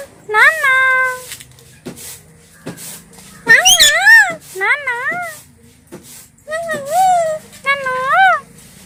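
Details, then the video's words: Two talking pet parrots. Clear speech-like phrases with wavy, bending tones, about five word-groups over nine seconds, and scattered sharp clicks between them. "Talking Parrots"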